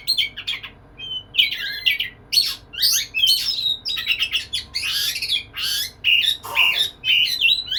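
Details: Oriental magpie-robin (kacer) singing energetically to court a female, pouring out a varied run of rasping chatter, whistled slurs and sharp chirps in quick clusters, with a brief harsh call near the end.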